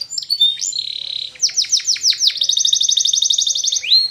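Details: Spanish Timbrado canary singing a training song: a sustained whistled note, then a run of sharp descending sweeps, followed by a fast metallic rattling trill held for over a second and a final whistled slide.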